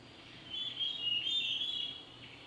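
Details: Archer's ground robin, an Albertine Rift endemic of Rwandan forests, a single bird singing a high, sweet warbled phrase of overlapping whistles that sounds like two birds, perhaps using both sides of its syrinx and throwing its voice; faint hiss.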